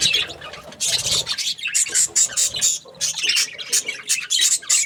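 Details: Pet budgies giving rapid, scratchy chirps mixed with thin, very high squeaks, in pulsing bursts separated by short lulls.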